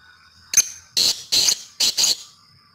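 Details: Female grey francolin calling: five short, harsh, loud bursts, the first single and sharp, then two evenly spaced pairs about half a second apart, with a faint high whistle before and after.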